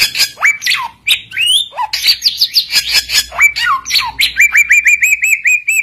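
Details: Samyong, an Oriental magpie-robin, in full vigorous song meant to call rivals and prompt other birds to answer: varied whistles, squeaks and chatter, closing with a steady series of about ten bright rising whistled notes.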